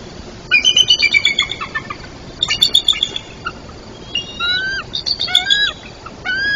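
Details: Bald eagles at their Trempealeau, Wisconsin nest before dawn, 23 June 2024: two eaglets aged 81 and 77 days and both parents vocalizing together. Bursts of high chattering peals alternate with drawn-out, downslurred squeeing whistles.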